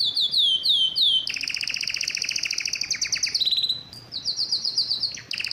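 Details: Canary in mating excitement singing: falling whistled notes, then dense buzzy trills at two pitches, a clear high note, and more rapid rattling trills.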